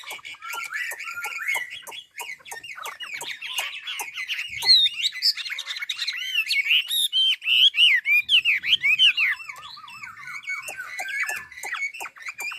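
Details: Hwamei of Ha Giang, northern Vietnam, delivering sweet wavering whistles that turn into rolling, repeated slurred phrases, with crisp ticking clicks throughout.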